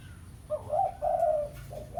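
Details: Pesom-style spotted dove calling a rival as a lure: a single soft phrase of a short note followed by two longer, smooth hooted coos, low hum beneath.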